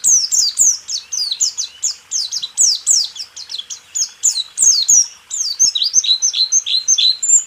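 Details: White-eye song used as a training recording for caged songbirds: rapid high, sharp descending whistled notes, densely strung together in a fast chattering run with no pauses.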